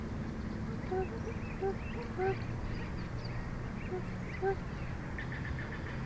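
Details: Bald eagle, a female, calling from a nest watched by a live eagle cam in Big Bear on a hot day while her mate pants nearby; five soft, short, arched tonal notes, spaced unevenly, over a steady low rumble of background noise.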